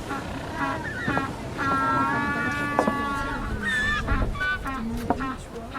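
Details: African penguins (Spheniscus demersus) at the Boulders Beach colony, Cape Town, South Africa, bray loudly in harsh, donkey-like honks, heard over a person's speech.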